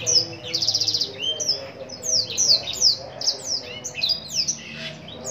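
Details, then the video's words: Captive Black-throated canary from Lumajang, Indonesia, singing energetically: a brief buzzy trill, then a series of bright, downslurred whistled notes repeated roughly twice a second, over a soft low hum. "burung blackthroat gacor lumajang"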